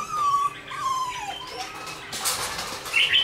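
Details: A red-whiskered bulbul caged for only 12 days after capture sings boldly at a decoy. Clear whistled phrases slide downward, followed by a noisy rustle and a few high, bright notes at the end.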